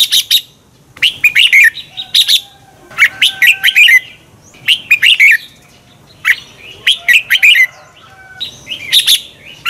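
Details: Red-whiskered bulbul song meant for training birds to sing against rivals: repeated phrases of quick, fluted chirping notes, five or six bursts over nearly ten seconds, each a tight cluster of bright warbles with short gaps between.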